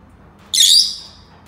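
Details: A single harsh, broadband screech from a Senegal parrot, starting abruptly and fading over about half a second in a quiet setting.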